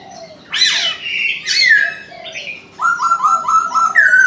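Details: In the morning a Chinese francolin calls twice with harsh, rasping notes, then delivers a fast, evenly stepped, clucking run of syllables that ends on a rising note.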